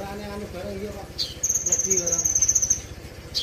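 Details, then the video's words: Brown-throated sunbird song presented as premium training material: after a low hum, a long, even, very high rattling trill of rapid ticks lasts more than a second, followed by a sharp final chip. "isian mewah Kolibri ninja"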